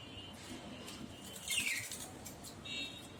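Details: Myna at bath time gives a few short, high chirps, one slurred downward, scattered over a few seconds against a soft background hiss.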